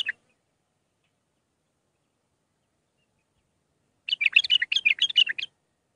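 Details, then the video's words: Mandalawi bulbul song with six phrases, meant for teaching young birds: a brief note at the start, a long silence, then a lively one-and-a-half-second burst of fast warbled notes. "للتخريج االمخاليف. مندلاوي ب6 لسانات"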